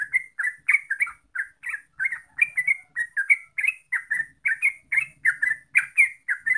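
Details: Yellow-vented bulbul song used to lure birds into singing: steady, rapid stream of bright, burbling slurred notes with a soft low murmur beneath.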